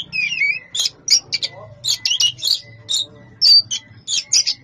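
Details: Champion Oriental magpie-robin with a dense 'suara padat' song: quick bursts of harsh, high chattering notes mixed with short whistles, packed tightly with brief gaps, over a faint low hum.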